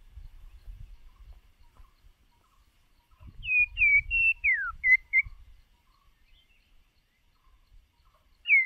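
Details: White-rumped shama lure bird used for voice training, singing a short burst of bright whistles, one long downward slide among level notes, after several seconds of low rumble. Another whistle starts at the end.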